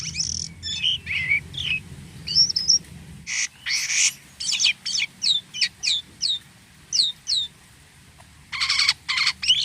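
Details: Jalak kapas starling in busy song with unusual notes: scratchy whistles and buzzy bursts, followed by a regular string of crisp downward-flicked chips and a closing harsh rattle.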